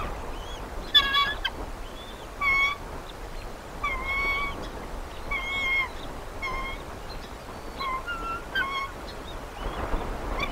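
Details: Eagles at the Decorah North Nest, recorded by a live nature nest camera: a series of short, high, thin chirps and squealing notes, some rising or sliding, in irregular bursts over a steady hiss of background noise.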